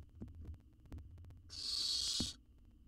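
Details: Baby owl in an Israeli research nest box, wild, swallowing a jird whole; soft thumps and shuffling, then a single rasping hiss-screech lasting under a second.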